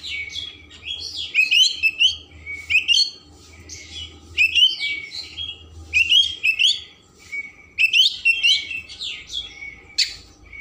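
An Oriental magpie-robin sings rich, varied whistled phrases with rapid sweeping notes, repeated in bursts every second or two, over a faint low hum.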